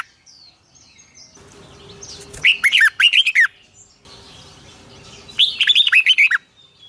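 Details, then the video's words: Red-whiskered bulbul morning song in the long twisted double-voice style, used as a lure sound for training birds: two bursts of rapid, looping whistled notes near the middle and end, with quiet pauses between. "Luyện chào mào hót sáng 2020, Giọng kép xoắn dài Quá hay"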